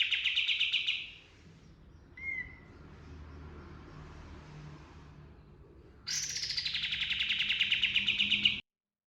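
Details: Pied triller song in the rolling and 'shooting' style: a dense buzzy trill lasting about a second, a brief sharp whistled note, a pause, then a longer rapid rolling trill for over two seconds, over low background hum.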